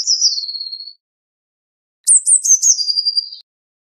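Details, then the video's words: A Eurasian blue tit sings a falling trill, then after a pause gives high stuttered notes that drop into a quick, steady trill. "Blue Tit Singing! Blue Tit Calling! Blue Tit Sound! - Herrerillo Común Canto - Cyanistes Caeruleus"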